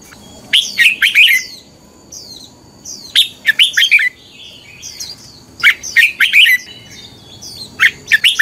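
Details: A red-whiskered bulbul's fighting song for training birds to sing at dawn: loud clipped phrases of three to five sweet, slurred whistles recurring every two to three seconds, with quieter high chirps between.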